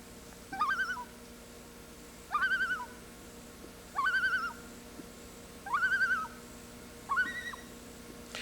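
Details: Common loon (Gavia immer) giving five short, quavering, wavering calls, each under a second and spaced about every one and a half seconds, over a faint steady hum.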